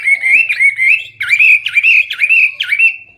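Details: Hwamei (wambi) delivering loud, clear 'gacor full isian' song: a steady whistled warble followed by four emphatic phrases, each opening with a sharp downward swoop, with a faint low hum underneath.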